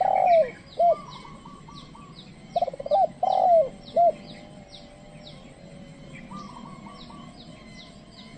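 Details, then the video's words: Trained decoy spotted dove calling to lure wild doves, which do not come close. Low mellow coos: a few short hooked notes and a longer note, with high descending chirps repeating steadily in the background. "pikat tekukur ajaran memanggil burung liar"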